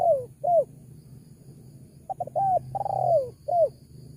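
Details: Spotted dove call meant to attract wild doves. It holds two falling coos, then short stuttered notes, a long drawn descending coo and a last falling note, over faint low background noise.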